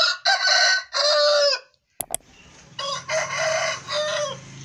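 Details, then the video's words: An Aseel rooster gives two hoarse, drawn-out crows of several syllables, each about a second and a half long, with a low mechanical hum beneath the second. "Aseel rooster crowing"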